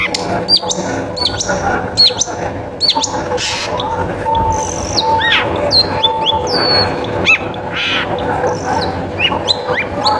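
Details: Long-tailed shrike in full, clear song used as a lure for other shrikes: varied whistled notes, quick chirps and slurred phrases tumbling along over a faint background hum.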